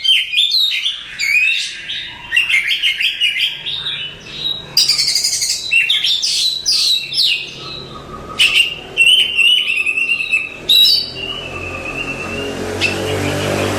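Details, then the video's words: Contest-champion Oriental magpie-robin (Copsychus saularis) singing fast varied whistles and chattering trills, ending in a long hissing rushing noise that grows over the last seconds. "Suara Kicauan Burung Kacer Juara Kontes"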